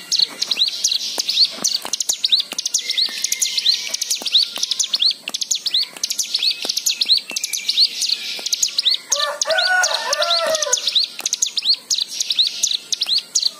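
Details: White-eye song used as a lure to prompt other birds to sing, full of varied fill-in phrases: dense, high, rapid twittering of short upswept chirps, with a brief lower warbled passage near the end.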